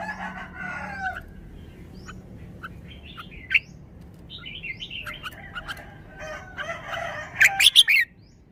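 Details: Caged Red-whiskered bulbul singing in the phleng pa (forest song) style: scattered soft whistled and warbled notes build into short, slurred phrases and end in a sharp cluster of loud chirps, with faint background hum throughout.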